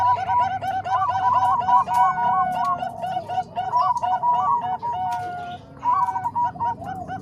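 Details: Zebra doves, Bangkok and Cemani Kolbuntet types, in a combined recording meant as a master for training other doves: dense, rapid, bubbling coos repeated several times a second, overlapping voices forming a continuous chorus with brief pauses.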